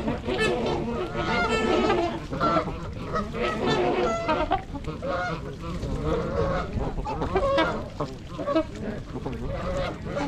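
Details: Trumpeter swans, 26 adults and 16 juveniles, gathered at Gallup Park, Ann Arbor, Michigan, on January 8, 2022 in winter, GoPro; many birds giving loud, brassy honks in rapid overlapping bursts, some calls clearer and nearer than others.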